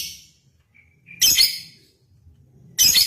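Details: Lovebird on a lure recording meant to call a rival and provoke singing: two sharp, harsh high chirps about one and a half seconds apart, with a faint thin whistle between them and quiet background.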